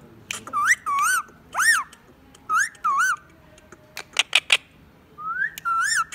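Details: Whistling by a talking pet Indian ringneck parakeet: a run of looping, up-and-down whistled notes in short separate bursts, broken by a few sharp clicks, with more swooping whistles at the end.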